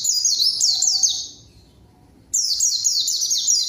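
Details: Lure song of a white-eye, used to draw a rival into responding: a fast chain of high, thin, downward-slurred whistles, a brief quiet gap, then another equally rapid run of sliding notes.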